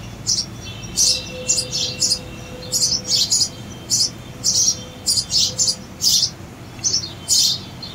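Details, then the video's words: Sparrow chicks calling in rapid bursts of high, sharp chirps, with clusters of several notes spaced through the clip and short pauses between bursts, over a steady low background hum. "sparrow babies"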